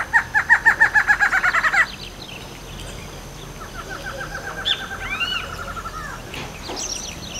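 A Barred Antshrike sings a quick, accelerating run of about fourteen nasal notes lasting two seconds. A fainter, similar rattle follows, with other birds chirping softly behind.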